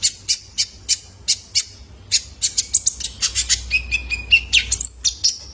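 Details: Juvenile male Van Hasselt's sunbird voice used to train cage birds: evenly spaced piercing chips, then a faster run mixed with a brief level whistle and rising thin notes near the end.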